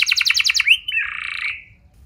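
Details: Canary song played to lure other canaries into singing: a fast trill of repeated notes, then a rising whistle and a short buzzy rolling phrase that fades out.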